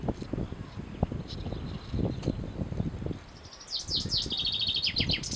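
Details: Male common chaffinch song starting after a stretch of low rumbling noise: a fast series of bright, repeated notes stepping down in pitch, cut off at the end.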